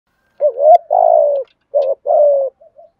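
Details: Spotted dove giving cooing in the 'thúc gù' style: a short wavering low coo followed by two long, slightly falling coos, with soft trailing notes at the end; no other sounds.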